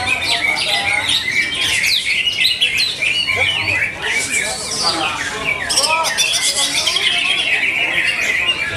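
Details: Greater green leafbird in full song at a Bekasi bird singing contest, delivering fast, varied chattering and whistled phrases over a busy background of other birds and human voices.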